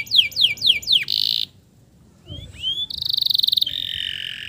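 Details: Male canary lure song for stressed canaries gone quiet: three falling whistled sweeps, a brief buzzy burst, a pause, soft rising slurs, then a bright rapid trill that runs into a steady buzz.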